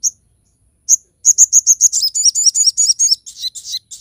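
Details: Singing crested jay giving sharp 'tembakan' bursts, kept as a tutor and lure recording: isolated high chirps, then a quickening string of bright notes flowing into repeated twangy, down-slurred phrases and a raspier ending.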